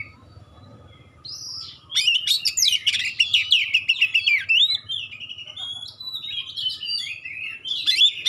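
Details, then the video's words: Magpie-robin singing a sharp, clear song used to trigger replies from rival birds; after a quiet start, a dense burst of rapid whistled and chattering notes, then looser sliding whistles and a final flourish. "suara tembakan tajam juga suara jernih bikin kacer lain langsung respon ngobra"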